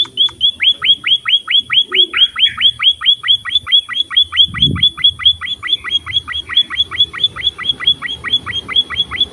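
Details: Munia, called emprit or pipit, singing energetically, played to train other birds: loud, sharp rising chirps repeated rapidly and steadily, about two per second, with faint low background rumble.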